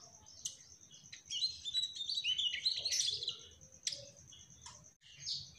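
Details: Mugimaki flycatcher, trotol, in energetic gacor song: a sharp chirp, then a sustained, rich run of quick high warbling and trills, followed by isolated chirps and a brief silence before a last note.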